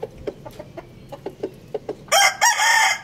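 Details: One of two roosters crowing: irregular low clucks and clicks for two seconds, then a loud, ringing, wavering crow bursts in and holds to the end.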